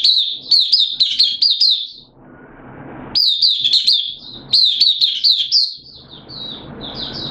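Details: Caged oriental white-eye, kept for the bird hobby, singing at an opening session on 8 September 2022, form slightly off: three runs of fast, bright, high-pitched chirping notes with short breaks of low room noise.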